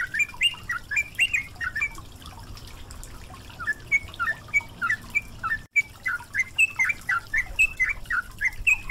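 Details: Yellow-vented bulbul song from a caged-bird training track with running water: a long run of bouncy, falling and rising whistled notes with a brief break midway, over a steady trickle.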